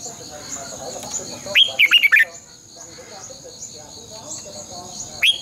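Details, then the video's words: Red-whiskered bulbul singing as a decoy to stimulate caged birds, double-voice style: a loud burst of bubbly, rapid whistled notes, quiet, then the start of another phrase, with steady insect whine behind. "luyện chào mào hót sáng 2020 - Giọng kép xoắn dài Quá hay hót căng lửa"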